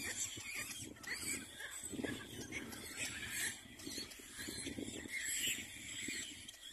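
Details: At the nest, two adult little black cormorants with a chick give harsh squealing and grunting chatter almost without pause, rough and scratchy, against a constant high-pitched background hiss.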